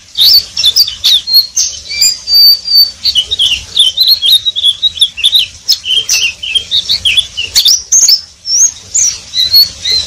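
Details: Oriental white-eye in continuous ngeriwik twitter: high rambling chirps and short whistled trills, some held notes, mixed with sharp clicking ticks throughout.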